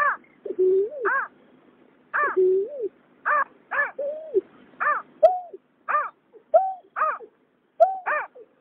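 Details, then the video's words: Male and female water rail, recorded in 2021, mixing sustained low whistles that lift at the end with a steady run of sharper, arched, harmonic notes. "Tiếng nhát hoa, cà cuốc trống mái"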